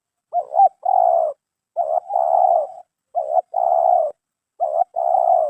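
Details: Captured spotted dove (terkukur) prized for its 'mersik' voice type. Rhythmic cooing phrases, each a quick wavering double note and then a long, steady, slightly rough coo, repeated four times about every one and a half seconds.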